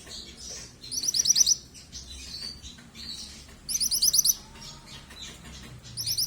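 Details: Juvenile yellow mantenan calling without stopping: clusters of sharp, rapid, very high chirps repeating roughly every two to three seconds, with quieter chattering and a soft low rumble underneath.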